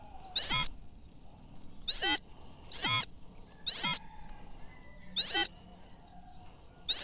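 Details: Sulawesi goshawk flown for falconry during a hunt, giving loud, harsh, ringing screams, each short and rich in overtones, repeated irregularly about every second or so, six calls in quiet surroundings.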